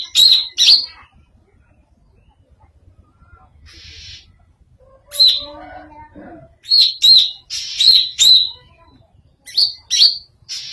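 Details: Greater green leafbird giving an unusual, strange-sounding song: short bursts of sharp, high chirps with buzzy harmonics, separated by quiet gaps and a brief low hiss.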